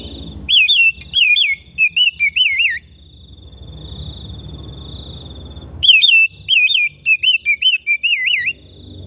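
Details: Home-kept Oriental magpie-robin repeats a series of wavering, yodel-like whistled notes, pauses for about three seconds over a low rumble, then sings another string of the same looping whistles.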